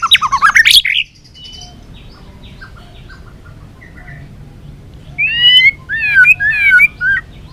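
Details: White-rumped shama, balak 6 type, in a bird-trapping lure recording: a loud, harsh chattering burst opens, then a near-silent stretch, then rich warbled phrases of stacked rising and falling notes.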